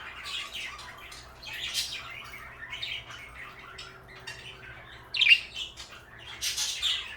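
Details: A pair of pet parakeets, blue and light yellow, keep up soft scratchy twittering, broken by one louder harsh squawk midway and a final flurry of chirps.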